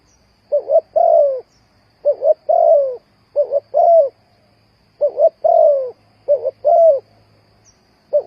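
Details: Spotted dove calling as a trapping lure. Its soft, hollow coos come in paired short notes, each pair followed by a longer sliding coo, and the phrases repeat steadily. A faint low hum is also heard.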